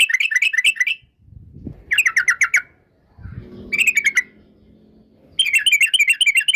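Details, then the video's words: Yellow-vented bulbul lure song: four short bursts of bright bubbling chatter, each under a second, separated by pauses. Soft low background noise is heard in the gaps. "TRUCUK gacor UPLIK NGEPRUL pancingan trucuk agar BUNYI, jadikan burung trucukan BUNYI ROPEL"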